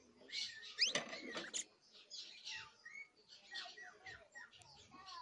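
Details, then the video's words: Young canary's first songs: soft, rambling, scratchy warble of mixed chirps, short rising whistles and quick trill fragments, loudest near the start, with faint low background hum. "Pichón de CANARIO soltando sus primeros cantos, trines, Charrasqueando"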